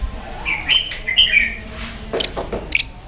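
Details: White-rumped shama singing in a varied multi-voiced fighting song while flicking its tail; fairly quiet short whistled phrases with sharp high notes, separated by pauses.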